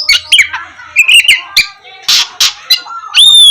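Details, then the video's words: Oriental magpie-robin song used to stimulate reluctant birds to sing in the morning: scattered chirps and a warbled phrase, two harsh noisy bursts, ending in a long pure high whistle. "KACER GACOR cocok buat pancingan kacer malas bunyi dipagi hari"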